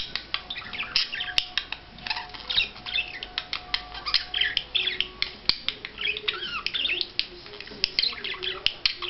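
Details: Courtship display of a budgerigar: continuous fast chatter of scratchy, squeaky notes and rising-falling chirps, clicking notes scattered through, recorded indoors.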